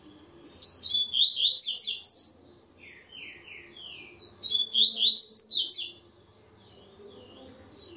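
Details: In the third stage of an online singing tournament, a Double-collared seedeater sings two dense phrases of fast high whistles, with a few lower, slower slurred notes between them, and a fresh phrase starting at the end.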